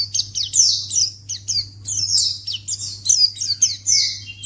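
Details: Calls of a white-eye (pleci), played to get other white-eyes to respond immediately: rapid, high, downslurred chirps in close series, a lower thin whistle near the end, and a constant low hum.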